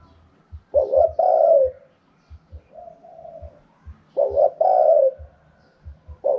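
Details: Cooing of a Spotted dove, wild-type 'karom pa' song style: two loud phrases of two clipped notes plus a long falling coo, a softer single coo between them, and repeated faint low thumps.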